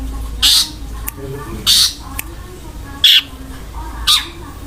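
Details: Long-tailed shrike with harsh filler notes in roll-speed style: four loud grating screechy bursts, each about a quarter second long and roughly a second or more apart, with faint clicks between and a low drone.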